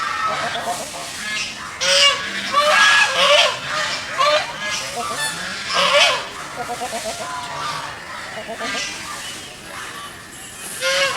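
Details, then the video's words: Geese swimming and making noise in a pond give a long run of loud, harsh, nasal honks, often in quick pairs and bursts, with brief lulls of softer chatter between outbursts. "Goose Sounds ।। Goose Call । Goose birds swimming and making noise in the pond."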